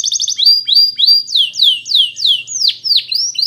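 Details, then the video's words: Canary song for training: a brief rapid trill, then loud, slow, evenly spaced whistled notes, each sweeping downward, roughly three per second. "Best Canary Sounds!! Suitable for training your canaries"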